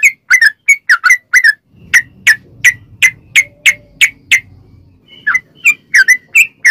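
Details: Long ropel song of a sooty-headed bulbul, used as a lure to get other bulbuls singing; rapid chirps, then a regular run of single sharp notes over a faint low rumble, then quicker paired notes.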